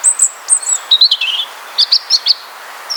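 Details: A European robin in Poland sings an evening song of thin, silvery high notes in quick varied phrases, some sliding down and others trilled, with brief pauses between, over a quiet background.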